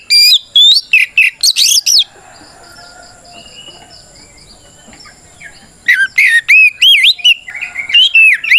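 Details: Loud fighting song of an oriental magpie-robin, meant to goad silent or young birds into replying: a two-second volley of whistled, warbling and buzzy phrases, about four seconds of near-silence with a thin high tone, then a second vigorous volley.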